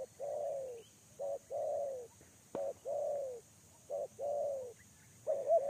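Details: Spotted dove lure bird giving repeated two-part coos, a short opening note and a longer descending coo, roughly every one and a half seconds, with a sharp click and faint chirping in the background.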